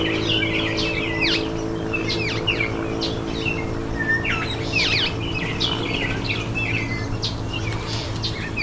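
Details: An Indian myna at its bath, with busy overlapping chirps, clipped whistles and harsh sweeping notes coming rapidly throughout, over a continuous low droning hum.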